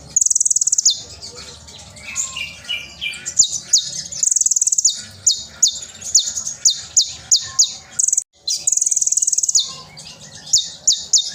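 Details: Sunbird (konin) in loud, lively song, used as a tutor recording for young birds: very high, sharp descending whistled 'shots' repeated roughly every half second, with rapid buzzy trills and fuller twittering passages between them.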